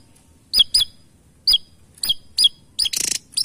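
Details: Javan tesia giving sharp, high, clipped whistled notes, single or paired, every half second or so, ending in a short dry buzzy rattle and another whistle.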